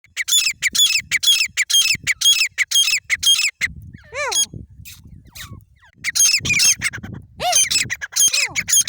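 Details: Grey francoline calling: loud, harsh, high repeated phrases in rapid bursts, broken by a few downward-sweeping squeals, then the bursts resume; some faint background noise.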